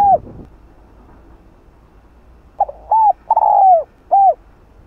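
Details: Spotted dove (cu đất) uttering its 'kích bổi' lure coo. The tail of a note opens, then after a pause one complete phrase follows: short note, hoot, long falling coo, final hoot.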